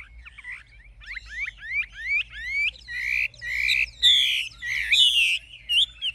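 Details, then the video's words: Mature wild-caught caged Chinese hwamei with a true forest-style voice: a soft, hesitant opening of thin whistles, then rising slurred notes, building to loud, buzzy, rich phrases repeated roughly once a second. "Họa mi già rừng chuẩn giọng rừng hay"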